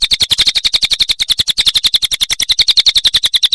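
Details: Cililin singing in a nonstop training recording for songbirds: an unbroken stream of piercing, high chattering pulses, close to four per second's half-beat, slightly uneven in spacing and loudness.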